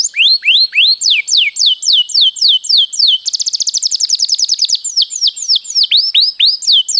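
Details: Canary singing energetically in a long rolling song, used as a training master: repeated downward-sweeping whistled notes, then a fast buzzy trill of rapid notes, then more sweeping whistles. No other sounds.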